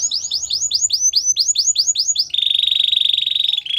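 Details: Canary training song: a fast series of rising swooped notes, about five per second, followed by a steady buzzy rolling trill.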